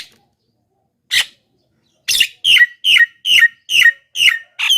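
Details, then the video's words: Javan myna, loud and lively, used to lure wild birds: after two isolated rasping notes comes a fast, steady series of harsh, down-slurred squawks, roughly two or three each second. "suara BURUNG JALAK KEBO,gacor menggelegar,semua jalak kebo auto nyahut"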